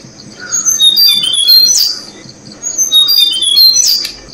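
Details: Tickell's blue flycatcher feeding its chicks, a resident bird nesting in the rainy season: high whistled notes sliding downward, with two sharp bursts of squeaky chirps about two seconds apart.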